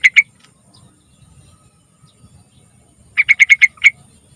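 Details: Lure song of a yellow-vented bulbul meant to prompt young birds to sing: a pair of bright clipped notes, a pause of about three seconds, then a rapid run of five notes and one final accented chirp.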